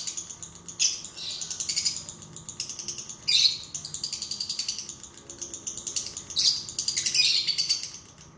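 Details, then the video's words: High, scratchy bursts of lovebird twittering, meant to prompt a lazy lovebird to sing, come in uneven clusters with short gaps between them, some sharp and ratchet-like. "PANCINGAN LOVEBIRD MALAS NGUNCI"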